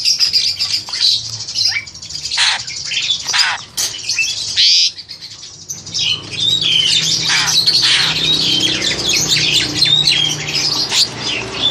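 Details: Indonesian breeding-stock crested myna, about seven to eight months old, caged and recorded on an aging Samsung handset; loud broadband squawks and rasping bursts in the first half, then continuous high whistles and chatter.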